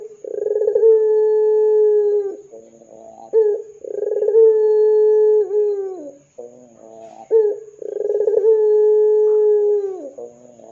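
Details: Ringneck dove in the 'gacor dor' calling style, used as a lure to get other doves calling: three coos, each a brief rolling stutter swelling into a long, steady, low hollow tone of about two seconds, repeated roughly every three and a half seconds.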